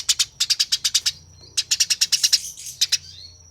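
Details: Eurasian tree sparrow fighting call, coarse and quick: two close runs of about eight buzzy chirps each, then a couple of trailing notes, with a steady faint high whine throughout.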